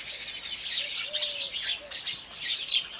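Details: Indian house sparrows in the morning, a dense flock chatter of high, bright chirps and tweets overlapping almost continuously, with a faint low whistled tone repeating underneath.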